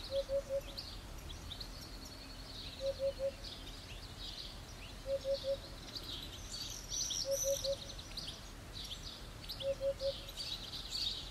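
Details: Eurasian hoopoe giving its song: five evenly paced groups of three deep, hollow hoots about every two seconds, while other birds chirp and trill in the background.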